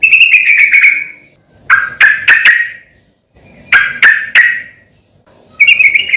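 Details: Yellow-vented bulbul in full song, played to lure or train other bulbuls: a sweet chattering phrase, then clusters of sharp, bright notes repeated in short groups with brief silences between them.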